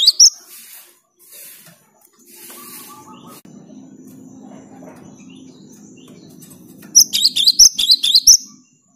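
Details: Singing cinereous tit used to encourage silent tits to sing: after several seconds of faint rustles and low hum, a burst of six or so sharp, high repeated chirps arrives near the end.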